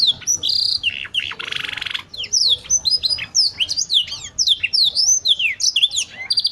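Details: Canary in full song: a burst of harsh buzzy rattle, then rapid falling whistled notes and chirps, tumbling on in a lively, varied stream.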